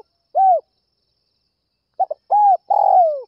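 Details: Spotted dove calling in the early morning as a lure to provoke other doves: soft, low, hooting coos, a single note, then two quick short notes leading into two longer rolling coos, no other sounds.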